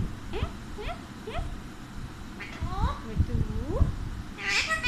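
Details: Talking Alexandrine parakeet: a run of short, rising, harmonic vocal sweeps in quick succession, then a harsh, broadband squawk at the very end, over a low background rumble.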